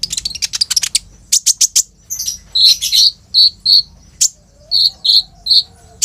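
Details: Active olive-backed sunbird used as a lure for young birds, phone-recorded; opens with a fast staccato rattle of chips, then evenly spaced, bright, slightly buzzy high notes, a faint lower whistle in the background.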